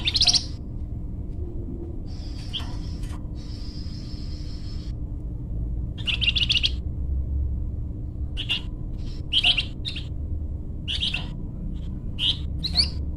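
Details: Flamboyan bird singing for bird-luring and song training: sustained thin whistles at first, then quick sharp chirps and buzzy bursts that come faster toward the end, over a soft background rumble.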